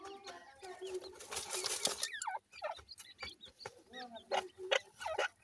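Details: Black francolin chicks produce sharp, falling whistled chirps in loose runs, some notes sliding down steeply, amid bursts of rustling and handling noise.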